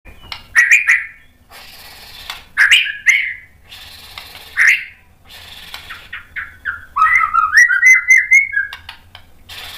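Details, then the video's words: White-rumped shama, an agitated singer used to provoke other males: harsh buzzy bursts repeated every second or two, then a quick run of varied whistled and chattering notes near the end. "MURAI BATU GACOR memancing EMOSI jadi BUNYI NYAUT BONGKAR MATERI ISIAN bagus buat PANCINGAN MURAI"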